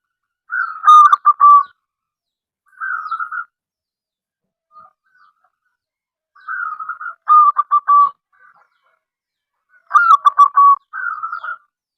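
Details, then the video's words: Local zebra dove calling repeatedly, used to coax other doves into song: stuttering coo phrases ending in sustained notes, alternating with softer rolling trills, several cycles over the stretch. "perkutut lokal gacor suara aneh"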